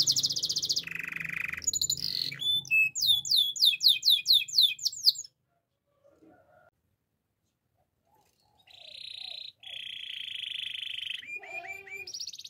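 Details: Waterslager canary training song with high trills and a run of repeated curling whistled notes, a silent pause of about three seconds, then buzzy rolling trills resume.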